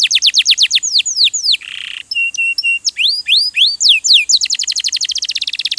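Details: Canary singing for a tutor recording: quick descending trill, a short harsh buzz, paired flat whistles, rising slurs, then a dense rapid rattle.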